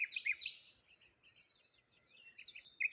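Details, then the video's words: Morning birdsong by the water near a solitary tree, with high sweet twittering notes and a thin drawn-out whistle overhead, short chips scattered across three seconds in quiet surroundings. "Morning Birds Sounds"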